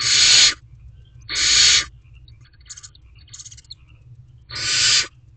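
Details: Begging barn owlet watching from its nest box for parents bringing food, evening of 12 May 2023: loud rasping hiss-screeches, three long ones with two shorter, fainter bursts between, against steady low background rumble.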